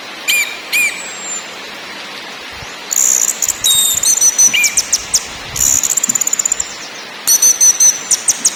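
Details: {'text': 'Orange-headed thrush, lure song in ngakrak, ngeplong and nyiul styles: isolated high whistles open, then three long bursts of very high rapid trilling and clicking notes, each lasting a second or more.'}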